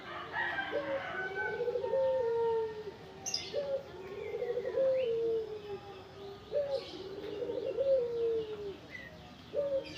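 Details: Tame local spotted dove cooing steadily: each phrase starts with a brief upward note, then a throaty rolling coo that slides down, repeated roughly every three seconds; scattered thin chirps from other birds in the background.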